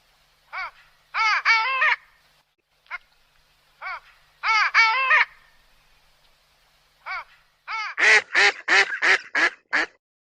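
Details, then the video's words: Duck quacking in short bursts of two or three harsh nasal notes, then breaking into a fast, loud series of about seven quacks near the end. "Duck sound - duck quack - duck sound effect"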